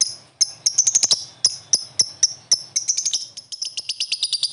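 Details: Prospek lovebird answering with chirps that build toward ngekek: spaced sharp high notes, then quickening clusters, ending in a fast, steady run of rapid high chirps.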